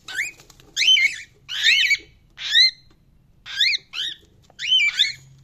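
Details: Cockatiel chirping: short, bright, rising chirps given singly and in pairs, roughly one burst every second.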